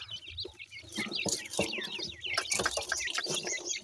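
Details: Several grey francolin (partridge) chicks feed while calling constantly: overlapping high chirps, many with a quick downward or up-and-down bend. Notes come at a fast, uneven pace, about three or four a second, mixed with soft pecking and scuffling.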